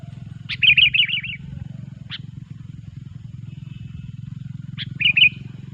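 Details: Sooty-headed bulbul singing loudly, a recording used to lure bulbuls for trapping: two short bubbly, warbling phrases separated by sharp clicking notes, over a constant low droning hum.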